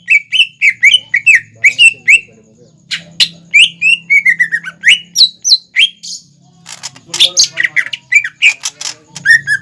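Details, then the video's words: Greater green leafbird lure song for young birds: varied fast whistled and squawking notes in continuous runs, with a faint low hum underneath. "PANCINGAN CUCAK IJO GACOR INI SANGAT CEPAT DI TIRU CUCAK IJO MUDA ATAU CUCAK IJO BAHAN"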